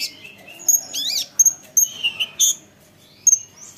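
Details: Olive-backed sunbird song played to provoke other sunbirds to answer: sparse high thin chirps and short sweeping notes, with a few quick rising-falling slurs and gaps of quiet between bursts.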